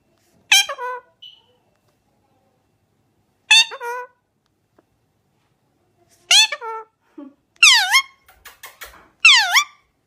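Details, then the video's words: Talking pet parrot indoors: five short, loud vocal bursts spaced two to three seconds apart, the first three rich and harmonic like spoken syllables, the last two sharply falling then rising squawk-like notes, with small clicks and quiet between. "Parrot 🦜 talking"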